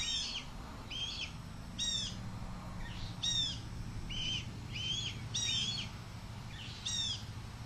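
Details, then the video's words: Young male red-tailed hawk near its nest, screaming at its mother as she flies past, asking for a food delivery, 2 July 2023: harsh harmonic squeals, often doubled, about seven in under eight seconds, over a low steady hum. "Deyani Sees Mom & Screams!"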